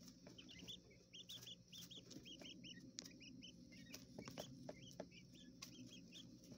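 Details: Japanese quail chicks in an indoor enclosure in a hotel room, urban setting: clear, high, hooked peeps given in quick runs of two to four, over scattered taps and a low steady hum.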